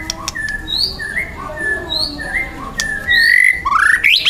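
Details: A wild young white-rumped shama sings spaced whistled notes at several pitches, then bursts into a loud, harsh, steeply rising flourish at the close.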